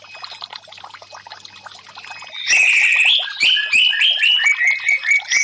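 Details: Orange-headed thrush song on a bird-therapy track for stressed birds that stay silent. Water trickles alone at first, then a loud burst of rapid, varied whistles and chirps rises and falls in quick repeated phrases.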